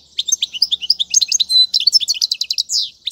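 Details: Short, dense burst of European goldfinch song for tutoring fledglings: tumbling, rapid high twitters and sweet slurred notes repeated several times a second.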